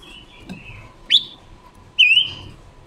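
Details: Female Red-billed leiothrix decoy bird in song, October 2021, used to stimulate males; a soft warble, a sharp rising whistle, then one loud, drawn-out, wavering whistle.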